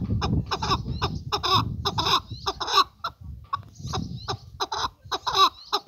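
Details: Male chukar partridge giving grouped, harsh chuk notes in short bursts over a steady low rumble of background noise, with brief pauses between the bursts.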